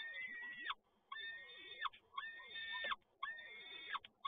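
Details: Peregrine falcon, Toruń, 7 May 2022, male delivering prey again: four strong, drawn-out harsh calls, each wavering then dropping at the end, separated by short gaps, with low background hum.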